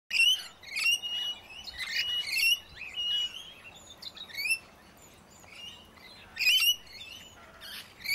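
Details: Red-rumped parrots in South Eastern Australia give bright, high rising chirps and short whistled notes in quick irregular bursts, several birds calling over one another.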